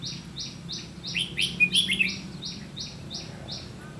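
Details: Red-whiskered bulbul in ché song style, recorded 30 May 2016 while trapping with a decoy bird; a brief run of quick warbled and chattered notes over a regular train of high, flat, repeated pulses.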